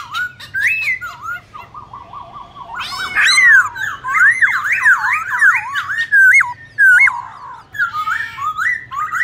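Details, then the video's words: Competition singing of a black-throated laughingthrush performing many voices to provoke other birds. A steady low whistle gives way to rapid zigzag whistled notes that swoop up and down, ending in short buzzy phrases. "Khướu bạc má hót đấu nhiều giọng kích bổi cực sung"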